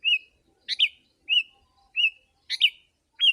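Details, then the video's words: Sooty-headed bulbul, recorded for luring wild birds: slurred whistled notes alternating with double harsh chattering bursts, each sound spaced around half a second apart in a clean, quiet setting. "Kutilang si.ladusing super gacor suara rapat menekan burung liar...."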